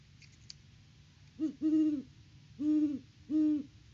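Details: Great horned owls at a farm nest tree in Peabody, Kansas, October 2023, filmed by live cam as the male hoots near the nest; a faint squawk, then four deep low hoots, one short, three drawn-out, over quiet background.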